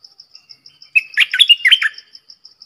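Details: Bulbul call from four decoy birds recorded in the wild in Thailand: a quick burst of loud, clear whistled notes, some falling, lasting about one second, set against a steady faint high ticking repeated throughout.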